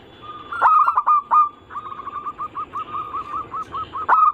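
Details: Perkutut, or zebra dove, lure song meant to prompt other doves to sing, local, Bangkok and crossing types: a few loud bursts, then a long even run of short hooked coos.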